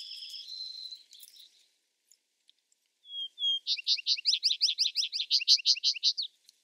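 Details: A Vesper sparrow's song. After a short pause come two brief steady whistles, then a loud, rapid series of around fifteen chattering notes over two and a half seconds, preceded by fading trailing notes from an earlier phrase.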